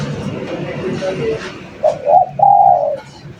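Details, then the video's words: Spotted dove singing briskly as a lure: two short rising coos followed by a long steady coo that tails off, against faint low background noise. "Suara Burung Derkukur Gacor"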